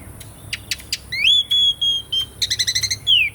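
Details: Asian pied starling song used to prompt birds that have stopped singing: a few sharp clicks, a rising whistle held level in several pieces, then a quick run of about seven pulsed notes and a falling whistle.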